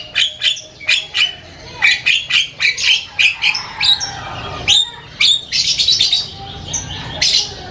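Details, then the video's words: Asian pied starling singing a loud, varied chatter: rapid series of harsh, squawky and whistled notes repeated about twice a second, with clear fluting tones and broad noisy bursts, later running into denser scratchy phrases. "SUARA JALAK KEBO NGOCEH KERAS BERBAGAI VARIASI BUNYI"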